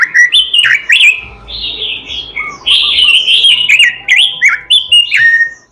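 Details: Oriental magpie-robin singing a melodious, energetic gacor song with isian fill-ins: loud, varied whistled phrases, slurred and falling, packed closely with sharp clicks, over a faint low twittering behind.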